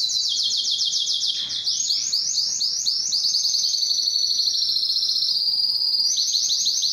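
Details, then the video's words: Belgian canary song meant to excite hens for mating and teach singing: a long unbroken chain of rapid high trilled notes, steady and bright, sliding gradually lower before jumping back up. "تغريد كناري للتسميع و تحفيز الانات للتزاوج 24- Canário cantando para atrair fêmeas para a reprodução"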